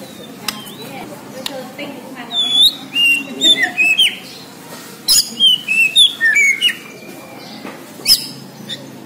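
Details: White-rumped shama, Borneo type, singing energetically: scattered clicks, then bursts of bright high whistles and twisting slurred phrases in two main groups, with a brief final note and quiet background.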